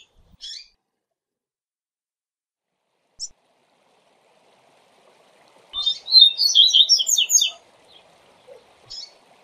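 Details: Double-collared seedeater singing the Viu Viu Zel Zel Zel tutor song used to train young birds: scattered single high chirps, then a rapid, bright, twittering phrase of jumbled high notes lasting under two seconds, with a faint low hiss behind.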